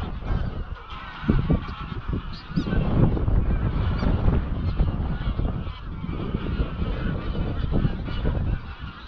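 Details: Greylag geese, a wild flock of about 200-300, on their evening flight to Llyn Maelog near Llanfaelog, Anglesey; a long stream of overlapping honks rises and falls amid strong wind on the microphone.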